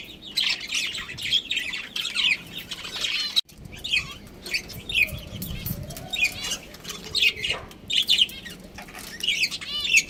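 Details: Budgerigars of a breeding pair chattering in dense high warbles and twitters, with a brief break and some low rustling or fluttering midway.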